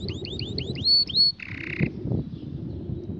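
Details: Canary delivering a series of rapid rising whistled slurs, then a buzzy rattle, with low rumbling background noise.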